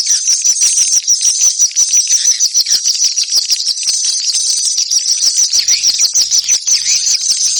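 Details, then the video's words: A busy flock of swallows chatters in rapid high chirps, about three notes a second in an uneven stream, forming a steady bright twitter throughout. "ang pinakamagandang swallow call sound"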